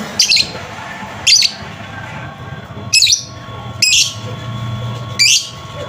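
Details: Lovebird song used as a prompt for a lovebird gone quiet: five brief, piercing high squeaky bursts at uneven intervals of roughly one second, over low steady hum.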